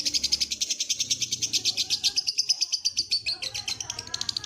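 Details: Lovebird trilling (ngekek) in a training recording: a steady stream of rapid, high, rasping chirps that keep a fairly even pace throughout, with a soft low background hum.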